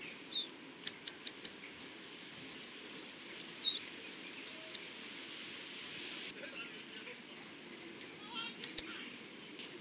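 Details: A long run of Hawfinch sounds: dense sharp ticks and high, wavering whistles, including a sustained thin note, thinning into sparser calls later, all high-pitched over low hiss.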